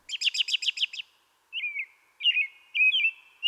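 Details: American Robin spring song in a Central/Eastern US backyard, rendered "cheer up, cheer up, cheerily": a quick burst of seven high, squeaky notes, a pause, then three clear whistled, rising-and-falling caroled phrases.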